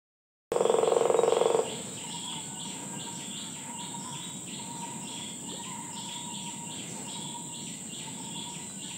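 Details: Streak-breasted Woodpecker (Picus viridanus) in Penang, Malaysia, September 2020, gives one loud, rapid drum roll of about a second, then falls silent beneath a steady, shrill insect chorus.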